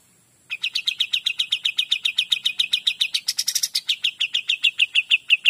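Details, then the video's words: Kapas tembak singing continuously in 'gacor dor' style: a long, fast stream of clipped high chirps, about four per second, with a brief rough flourish midway before the rhythmic notes resume. "KAPAS TEMBAK GACOR DOR"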